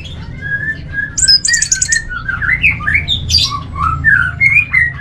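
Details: A caged orange-headed thrush, kept for songbird contests, delivers softer, lower whistled phrases mixed with quick sweeping and chattering notes. The busy, varied delivery plays over a faint low background hum.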